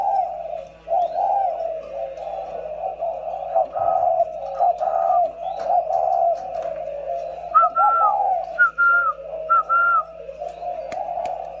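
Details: Two caged decoy spotted doves give long runs of low, bubbling coos, followed by a series of short, bright higher whistles in the second half, over a low indoor hum.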